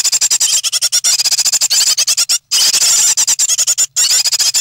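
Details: Nest of three great tit young, 9 May 2017, shortly before fledging. Rapid, high, squeaky calls overlap in a busy stream, with two brief breaks.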